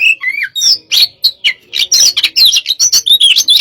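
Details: Pacingan session of a hot-type white-rumped shama, opening with lower whistled slurs, then accelerating into loud, high, varied chattering and whistled notes delivered in quick succession.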